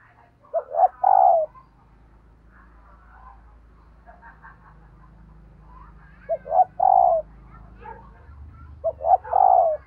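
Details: Hen dove cooing to excite males, three phrases in ten seconds, each a pair of quick hollow notes leading into one long, slightly descending coo; faint softer cooing fills the gaps over a low background hum.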